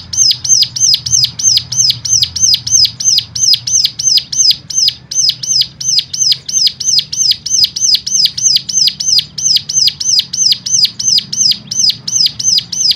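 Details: Persistent stimulating song for rousing other cigun: a long unbroken series of loud high arched notes, roughly three each second, very even in rhythm.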